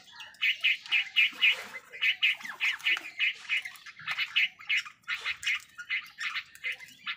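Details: Crows squabbling with wild birds over food give a steady run of harsh, rasping squawks, roughly three per second and evenly spaced, sustained for about seven seconds with little background noise.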